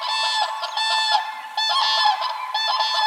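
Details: Common Crane calling: loud, harsh, honking trumpet notes with rich overtones, given in overlapping bursts that nearly fill the clip, with a short dip in volume midway.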